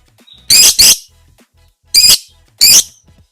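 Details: Lovebird (labet) cage-bird training song: paired loud, harsh, shrill squawks followed by two more single rasping shrieks, each short and high-pitched, with faint low background hum.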